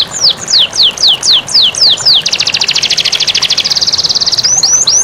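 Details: Canary master song used to prompt lazy canaries to sing, set against flowing water: repeated downward-sweeping whistles about four per second, then a fast rapid buzzy trill, ending with rising-falling whistled notes; steady background hiss.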